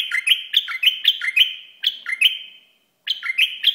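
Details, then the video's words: Iraqi bulbul delivers loud, rapid, ringing whistled phrases, each note dropping in pitch, repeated almost without pause before a short silence. "بلبل عراقي"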